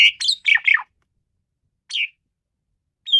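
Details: Asian pied starling, frenzied singing: four quick harsh, squawky chirps in a burst, a single similar note after a pause, and a thin high whistle at the close.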